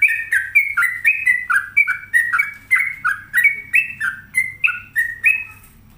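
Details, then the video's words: Energetic song of a caged sooty-headed bulbul (trucuk) at home: rapid rhythmic chain of clear whistled phrases, each a high note dropping to a lower one, repeated steadily for six seconds over quiet background. "Pokoknya Cari Trucuk yang Gacor"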